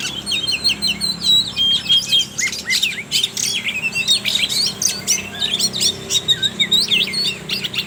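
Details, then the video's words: Trotol oriental magpie-robin singing as a lure for young birds: a dense, nonstop run of sharp high chirps, whistled slurs and short twittering bursts, with a faint low hum underneath. "Pancingan suara Kacer trotol BIKIN KACER NGEPLAY"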